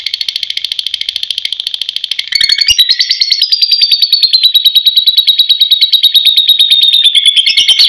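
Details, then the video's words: Lovebird used as a lure call gives long "ngekek" song, a fast, shrill, clear chattering trill pulsing several times a second, rising into a louder sustained stream after a brief break. "love birds Parrot singing"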